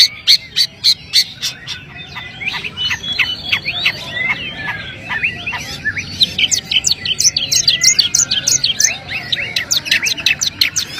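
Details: Long-tailed shrike in a long, busy run of sharp high chirps, buzzy trills and quick rising and falling whistles, loud clipped notes packed several per second with brief quieter gaps; faint low hum underneath.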